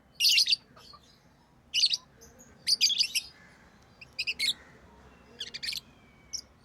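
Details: Tame lovebirds chirping in short, sharp high bursts, irregular clusters of shrill squeaky notes separated by brief pauses, several bursts over a few seconds with a quiet background.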